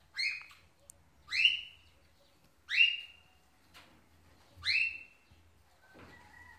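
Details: Pet Indian ringneck parrot greeting an African grey parrot as a show of affection: four loud, harsh squawks, each bending down in pitch, about every one and a half seconds, then faint whistles.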